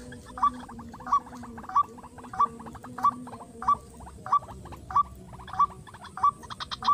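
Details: White-breasted waterhen call played while luring birds in a rice field: short upward-hooked notes repeated steadily about every two-thirds of a second, with dry clicking between notes and a low steady hum beneath.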